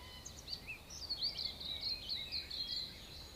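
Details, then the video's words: Dawn chorus of New Zealand native birds in a backyard in Auckland: bright, overlapping high chirps and short whistled notes in quick succession, over a soft background hiss. "New Zealand native bird audio recording dawn chorus"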